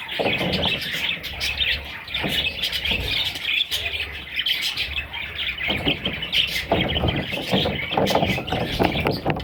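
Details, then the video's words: Young parrot chicks squawking in a continuous, raspy, high-pitched chatter, broken by occasional soft bumps and rustles. "Parrot little babies"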